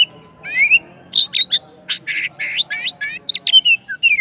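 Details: Oriental magpie-robin singing to call its rival: a rich, fast medley of whistled rising slurs, buzzy chattering notes and sharp clicks, varied phrases packed closely together, with a faint low hum beneath.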